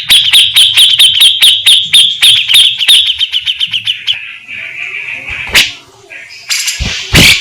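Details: Grey-cheeked bulbul giving a fast series of repeated high notes about four per second, fading into a softer trill, then a few loud sharp bursts.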